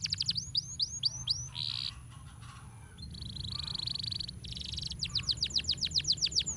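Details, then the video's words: Canary master song for training birds: a few quick curved notes, extended buzzy trilled passages, then a fast series of sharp, high, downward-sweeping notes repeated in a rolling rhythm. "Masteran Kenari Gacor Ngeroll Nikmat"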